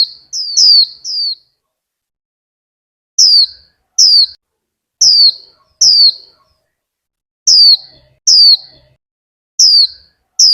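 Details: Female warbling white-eye, a kept ornamental bird in Vietnam, calling to stimulate a male to sing: thin, high, downslurred notes in quick pairs or triplets, groups separated by pauses of one to two seconds.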